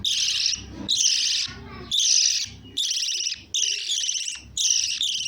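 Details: Lovebirds calling with high, grating, buzzy chatter in repeated bursts roughly once a second, some bursts doubled, over faint low background noise.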